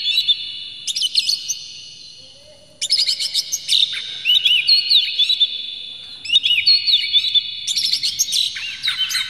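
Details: Oriental magpie-robin song played to provoke the bird into singing with its tail spread: rich, varied whistles and sharp chirps around a steady high tone, in bursts with a quieter pause near the start.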